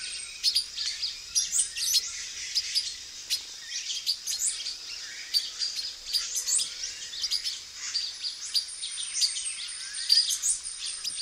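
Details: Male silver-beaked tanager recorded in a backyard in Brazil, uttering rapid, irregular high-pitched chips and brief metallic notes, with scattered thin whistles and background bird chatter throughout.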